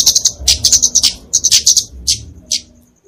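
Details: Flowerpecker fighting song (kemade), for training and luring songbirds: a fast burst of high sharp chips, then slower, spaced single notes fading toward silence at the end.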